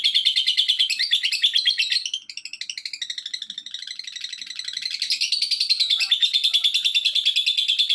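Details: Continuous lovebird chattering intended to set other lovebirds calling: fast, high, trilling repeated notes, briefly dipping and loosening in the middle before returning strong and steady.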